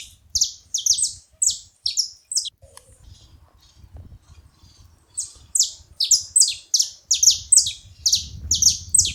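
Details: Saffron finch (canário-da-terra) noisy calling: clusters of sharp high falling chirps, a pause of about two seconds, then a faster, denser run of paired chirps; low rumbling noise near the end.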